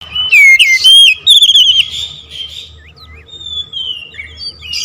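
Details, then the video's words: Oriental magpie-robin singing: loud clear whistled notes sliding and looping, then sharp rising and falling phrases with quick chips, quieter trailing whistles toward the end over a low background hum. "KICAUN KACER NEMBAK NGEROOL"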